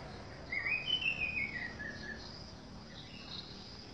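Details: Orange-headed thrush singing in a garden, a run of quick whistled notes that step downward over about a second, followed by quieter fainter notes, with steady background hiss.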